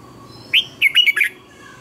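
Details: Red-whiskered bulbul phrase for training other birds, a single loud note followed by a tight cluster of slurred, warbling whistles lasting half a second.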